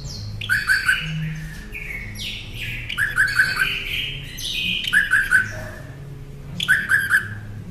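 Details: Song of a Northern mockingbird, meant for tutoring caged songbirds: four bursts of quick trilled notes mixed with sliding whistles, each burst about two seconds apart, over a faint low background hum.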